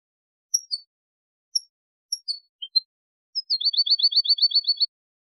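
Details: Tutoring-tape song of a European goldfinch, meant for training young birds and hybrids: scattered thin high chirps, then a fast even trill of about a dozen rising notes repeated several times a second, with no background noise.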